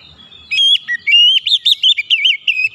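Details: Oriental magpie-robin singing for a stressed or silent bird: a short, rapid string of clear whistled notes rising and falling in quick loops, about ten syllables in under two seconds, nearly free of background noise.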